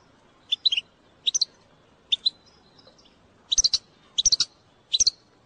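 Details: Bitbita of a goldfinch, meant to stimulate other goldfinches to sing: crisp high chirps in quick groups of two to four, about one group per second, bright and metallic against near silence.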